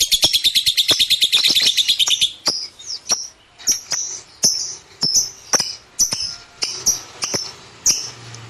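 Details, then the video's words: Lovebird bursts into rapid shrill chatter for about two seconds, then switches to separate sharp high chirps every half second or so, with brief buzzy tails after each. "KiCAU BURUNG LOVEBIRD"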